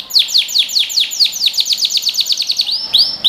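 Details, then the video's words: Canary in full song for young birds to copy: a rapid, regular string of sharply falling chipped whistles, about eight per second, ending in two rising swelling notes. "Canary Singing | Melodies Canary Bird Song"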